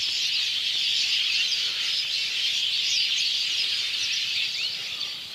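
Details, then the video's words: Sparrows in a flock perch together on electric wires on an afternoon in rural Bangladesh. They make a dense, steady chorus of overlapping high chirps and twitters with no gaps. "Sparrow Chirping Sound"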